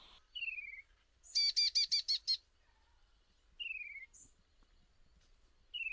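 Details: Slender-billed babbler recorded in Kaziranga National Park: clear descending whistles repeat every few seconds. Between them comes a quick burst of six ringing, harmonic notes. Otherwise near silence.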